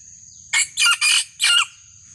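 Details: Wild junglefowl lure call meant to draw out a rival: a loud four-part crow, brief opening note, two longer hoarse middle syllables, a separate closing burst, with a constant thin high tone behind it.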